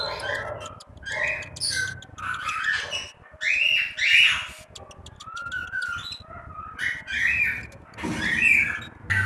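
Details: Cockatiel chicks in a nest in Juazeiro do Norte, Ceará, Brazil, giving a busy run of raspy, harmonic chirps and short squawks. The calls overlap, rise and fall, and come several per second with brief pauses between bursts.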